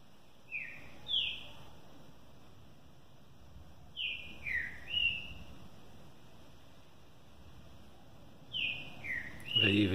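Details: Caged green-winged saltator (Saltator similis) finishing its moult, song: three short phrases of two or three clear, slurred whistles, repeated about every four seconds, with a brief clatter at the end.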